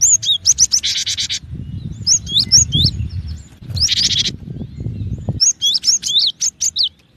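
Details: Cinereous tit giving quick clusters of sharp, hooked whistled notes interrupted by two short buzzy rattles, with low murmuring background noise between phrases.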